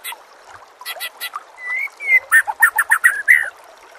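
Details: White-rumped shama master song: a long smooth whistle, then a quick sequence of crisp, evenly spaced chipping notes with a buzzy ending.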